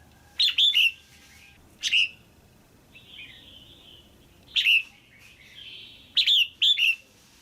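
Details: A caged female red-whiskered bulbul calls for pairing or to excite a male: loud, crisp slurred notes in quick pairs and singles, five bursts in total, between gentle background warbling.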